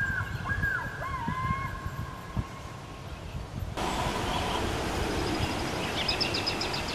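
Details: Loon near its nest after its eggs hatched, with chicks: a few short, curved whistled notes rising and falling during the first two seconds, then only steady background noise.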